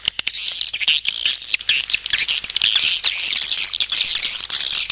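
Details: Lure call of swiftlets: unbroken shrill twitter with overlapping piercing chirps that grow louder and brighter toward the end, scattered with crisp clicks.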